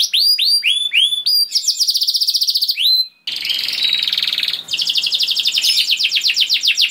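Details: Canary lure song: repeated upswept whistles, a fast high trill, then dense buzzy rolling phrases and a long rapid trill.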